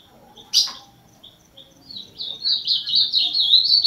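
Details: A sharp click and a few soft chips give way to the ultramarine grosbeak's rising, fast warbled song of rich slurred whistles, called azulão.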